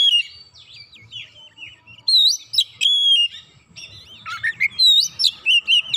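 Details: Excited Oriental magpie-robin, roused by one provocation, delivering its isian: varied whistled phrases throughout, swelling into loud, fast sequences of up-and-down sliding whistles and sharp chips in the second half.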